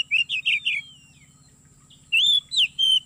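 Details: Oriental magpie-robin lure song, played from MP3 to trap birds in an oil palm plantation: three fast trilled whistles and a gliding fall, a brief gap, then strong rising and level whistles, over a low continuous hum.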